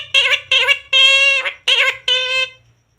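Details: Pet parrot talking: five harsh, nasal, harmonic-rich word-like bursts, mostly short, one longer drawn syllable near the middle, spaced about half a second apart, in a quiet indoor setting.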